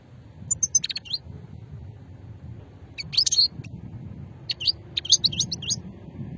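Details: European goldfinch singing an old-strain song style, recorded in Hammam Guergour, Sétif, Algeria, in 2020; three short bursts of high, thin twittering notes separated by pauses over a low background rumble.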